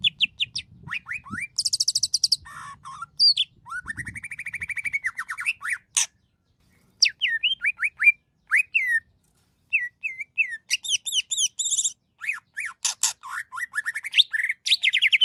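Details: Cucak ijo, greater green leafbird, in a long gacor masteran song: continuous varied phrases of rattling trills, rising and falling whistles and sharp chirps, pausing briefly between bursts, very rich and changeable.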